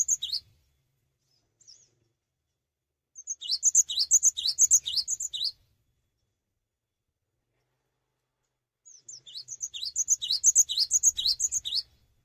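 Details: Cinereous tit singing hard without jumping, meant to spur other tits into song: two separate bursts of rapid, high, sharp phrases, each rising note followed by a piping whistle, with quiet gaps and a few lone thin notes.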